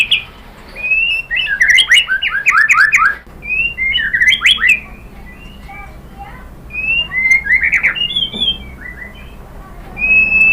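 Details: White-rumped shama singing varied phrases to stir other birds into song: clear whistles, quick rising and falling slurred notes and short tumbling flourishes, separated by short gaps against a quiet background.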